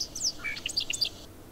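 A Bobolink gives a quick, bubbly burst of high, tinkling notes that jump up and down in pitch for just over a second, with faint background hiss.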